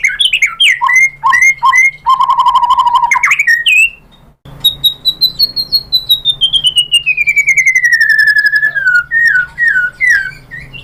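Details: White-rumped shama singing nonstop as a lure to make other shamas reply, showing off its learned mimicry material: quick varied whistles, a steady rapid trill, then a long clear whistled glide sliding slowly downward, with a low steady hum behind.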